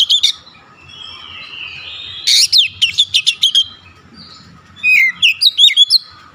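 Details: Oriental magpie-robin giving its "nembak" shooting song: clusters of loud, clipped, high notes fired in quick runs, separated by softer sustained whistling and a low hum in the background.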